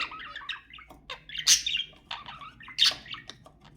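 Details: Budgerigars chattering to encourage breeding, with mixed buzzy warbles and two loud, harsh squawks standing out.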